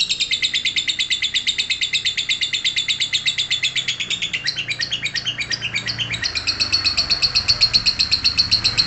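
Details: Lovebird ngekek: a fast, even stream of shrill, buzzy chirps at about four per second. The phrasing shifts briefly midway, then the steady rattle resumes.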